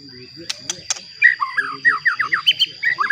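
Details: White-rumped shama song meant to provoke rival shamas: sharp clicks, then a rapid run of falling whistled notes over a steady high electronic tone and low background hum.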